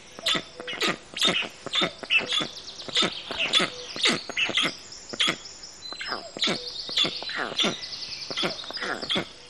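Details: Black storks giving a busy series of sharp, harsh notes in irregular clusters roughly every half second, some rasping and some squeaky, overlapping with thin high tones.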